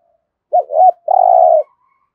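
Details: A decoy spotted dove used for luring wild birds sings one 'thúc gù' coo phrase: a brief looping two-note opening, then a longer vibrating coo held at steady pitch, with faint soft notes before and after.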